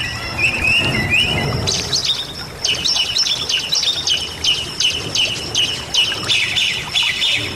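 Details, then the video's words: Bali myna singing a lively song recorded for training other cage birds: a few slurred whistles, then a rapid run of repeated sharp, metallic chirps about three per second. "Suara Jalak Bali Gacor"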